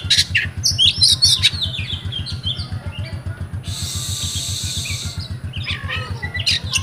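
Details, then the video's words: Oriental magpie-robin owned as a kept bird in Comal, Pemalang, Central Java, Indonesia, singing in the style called rewo rewo: bursts of sharp, varied whistles and chatters with pauses, a harsh hiss midway, over a steady low rhythmic thumping hum. "REWO REWO Kacer"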